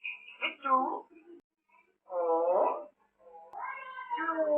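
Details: Pet African grey parrot talking, copying words like a human: three bursts of speech-like, harmonic voiced phrases, opening with a short high whistled note, separated by brief silences, in a quiet setting.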